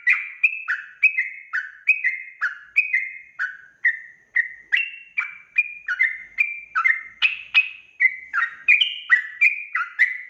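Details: Long stretch of sooty-headed bulbul ropel song, a lure recording for drawing wild birds to reply; an unbroken stream of chirpy two-toned whistles, around two per second, some rising, most dropping.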